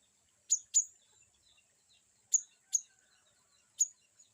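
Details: Cinereous tit, called glatik batu, giving varied 'wucit' calls used as training therapy for a young bird: sharp, very high chirps, a quick pair, then three more spaced singly over four seconds against a quiet background.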